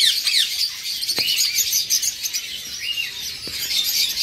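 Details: Eastern rosella pair with two fledged chicks living alongside them; the older fledgling feeds itself and is being chased by the male. A few short arched whistled notes rise and fall over a dense, continuous background of high chirping chatter.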